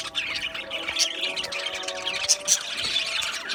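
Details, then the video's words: Aviary budgie colony from Australia: many birds chirp and chatter in high, squeaky bursts, with sharp clicks and a layer of steady tonal hum below. "Beautiful Australian Budgie birds Chirping Sounds | Budgie birds sounds"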